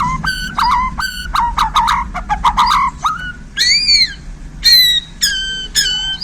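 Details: Borneo white-rumped shama, newly handled, singing spicy isian fills: a fast varied run of sharp rising notes and clicks, then ringing slurred whistles with strong overtones and short buzzy phrases, over a low steady hum.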